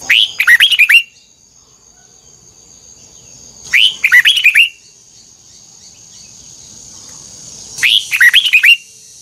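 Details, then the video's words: Red-whiskered bulbul, pushed to sing a double-note wild-type song, repeats the same short phrase of quick liquid whistled notes three times, about every four seconds, with soft hiss between phrases. "Luyện giọng chào mào hót hay âm kép xoắn, ép chào mào hót âm kép già rừng hay tuyệt!"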